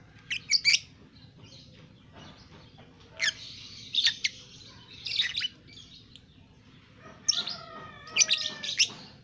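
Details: Two-month-old lovebird singing ngekek in captivity; clustered grating chirps and squeaks in short bursts separated by brief pauses.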